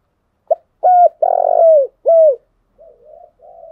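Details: Spotted dove singing as a lure to excite decoy birds in training: a short note, a clear coo, a long buzzy coo and a falling coo, followed by soft, low murmuring coos.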